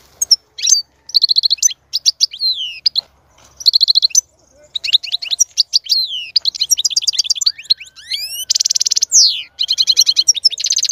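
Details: European goldfinch song used to encourage a female to mate and breed: a long, rich run of rapid tinkling twitters, buzzy rattles and fast repeated trills, with sweeping whistled slurs toward the end.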